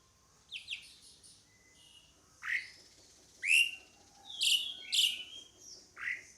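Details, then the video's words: Pied myna, scattered single sharp whistled notes, several dropping steeply in pitch, some brief chattery fragments, irregular spacing over a few seconds. "SUARA PANGGILAN JALAK SUREN"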